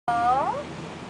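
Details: Common hill myna kept as a greeter at a house in Hua Hin, Thailand, saying a human-like "hello" in one loud, clear voice with a smooth, slightly falling, speech-like tone that fades after about half a second.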